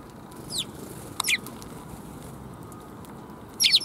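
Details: Sparrows greeting along the way on April 16, 2021: short, sharp high chirps in brief bursts near the start, middle and end, over a steady low background hum.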